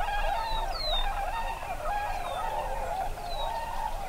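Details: A large flock of Tundra swans (Cygnus columbianus) on a Wisconsin wetland during spring migration keeps up a dense, overlapping chorus of mellow, wavering hoots and yelps, with a few higher squeaky notes and a low background rumble.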